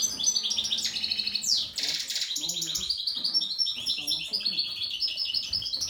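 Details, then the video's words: European goldfinches (Carduelis carduelis) excited in breeding-season condition pour out a fast, unbroken twitter of liquid, tinkling notes and buzzy trills, high throughout; a faint human voice murmurs underneath. "Saka x saka kızışma, carduelis carduelis"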